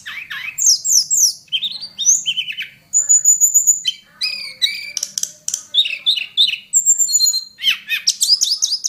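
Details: Wild Hill blue flycatcher from mountain forest in varied song: fast chattering phrases, a long thin high whistle, and tumbling slurred notes and chips in quick succession.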